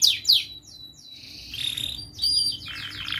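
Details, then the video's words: Young canary song from a training recording meant to teach juvenile canaries: high sweeping whistles and trills, descending slurred notes and buzzy rattles, with a low steady background hum. "Masteran Kenari gacor Muda belajar NATA LAGU"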